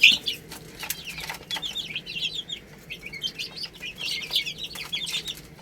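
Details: Chicks at rice give scattered high chirps amid louder pecking clicks and wing flaps, with a brief sharp peep at the start.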